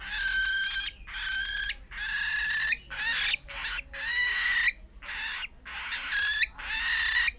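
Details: Young pet cockatiel, almost four months old, calling nonstop after its cage is opened: a run of about eight harsh, grating bursts, each with a thin whistled tone inside, separated by short pauses.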